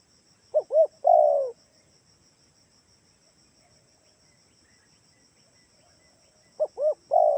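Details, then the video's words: Spotted dove, Kalimantan type, giving a lure call meant to make other doves answer: two short rounded coos followed by a longer, falling, slightly buzzy coo, the phrase heard twice about six seconds apart over a steady high insect hum. "gunakan suara tekukur ini || di jamin pasti yg di rumah ikutan bunyi"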